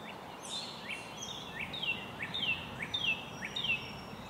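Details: At an American robin nest where baby birds are being fed: thin, high, sliding notes repeated roughly every half second, each a quick upward sweep then a falling squeal, over a steady hiss.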